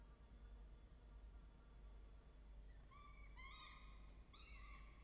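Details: At a nest box of a peregrine falcon family, a falcon gives a few harsh, wavering, slightly rising calls in a short burst near the end, over a steady low rumble.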